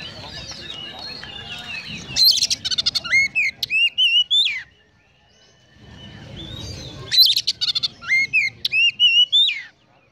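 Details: Konslet-style song of an Oriental magpie-robin laced with sparrow imitation: two phrases, each opening with dense rattling chatter and running into sharp, rising whistled notes; a low murmuring rumble fills the gaps.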